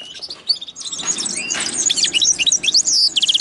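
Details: Linnet x canary hybrid in continuous, busy high song of jumbled twittering notes and short whistled slurs, ending in a quick run of repeated chips.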